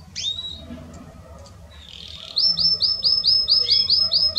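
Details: Belgian canary song for warming up other canaries: an opening sliding whistle, a quiet soft passage, then loud rhythmic hooked high notes repeated evenly several times a second.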